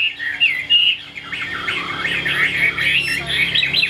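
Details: Chinese hwamei kept as a songbird gives a rich warbling phrase: a few sharp whistles, then a looping run of rolling, wavering notes at steady pace, with faint background hum.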